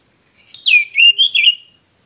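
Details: Oriental magpie-robin during roadside bird trapping, singing a quick phrase of four loud, clear whistled notes that dip and swoop, each note distinct, over a faint steady high-pitched whine.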